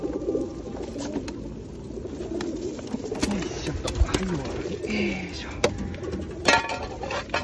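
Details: Several feral pigeons being fed at Osu Kannon on a rainy day in 2021 give low, soft, rolling coos that swoop down in pitch, over steady rain, wing flutters and a murmur of people nearby.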